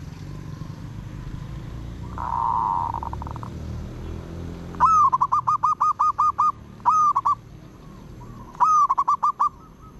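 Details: A zebra dove used as a decoy for luring wild zebra doves sings well: a soft rolling purr, then three bursts of rapid staccato cooing, each a quick string of about five to ten notes; the wild bird edges closer bit by bit.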